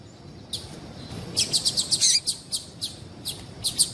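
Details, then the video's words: Excitement call of a female yellow-bellied seedeater aimed at males: a rapid, uneven run of bright high chirps, clustered densely mid-way, then spaced out toward the end, over a quiet background. "Melhor Piado de Fêmea de Papa capim Para Esquentar Papa capim"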